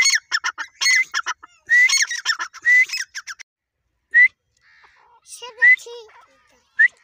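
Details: Caged Irani dakhni teetar (grey francolin) calling: a few loud phrases of rising whistles and harsh rapid notes in the first three seconds, then isolated rising whistled notes with faint lower murmuring between.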